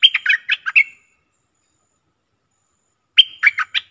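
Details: A bulbul, recorded 24/10/2021, sings two short bursts of bright, bubbling, warbled notes, each about a second long, separated by a few seconds of silence.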